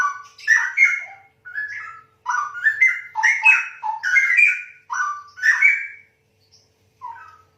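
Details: Straw-headed bulbul (cucak rowo) singing several loud, liquid, warbling phrases of jumbled whistled notes with short gaps between them, ending in a quiet pause and a soft closing note.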